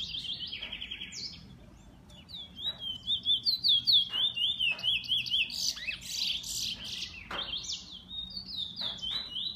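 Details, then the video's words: Bullfinch kept as a pet sings a rapid run of high, twisting, slurred notes, growing louder midway into pulsing repeated phrases, with occasional sharp clicks. "Bullfinch 2"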